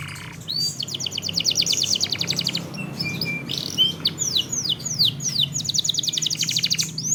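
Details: Canary lure song over a steady low hum: repeated rapid trills of sharp notes alternate with arched whistled sweeps and short flat buzzes, sung almost without pause.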